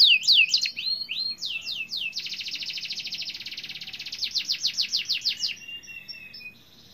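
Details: Canary singing gacor to encourage other canaries: loud swooping whistles, a long dense buzzing trill, another burst of quick sweeps, then fading softer notes.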